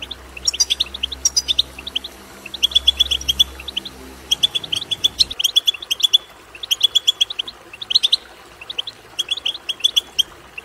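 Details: Goldfinch betbeta used to prompt singing; crisp, metallic chirps delivered in quick clusters roughly every one to two seconds, with a low humming background during the first half that then stops.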